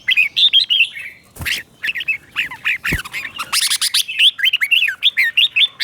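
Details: Red-whiskered bulbul singing a doubled-style teacher song meant to stimulate caged bulbuls: chirpy, bouncing whistled phrases repeated throughout, broken by two sharp knocks and a brief burst of hissy rustling midway.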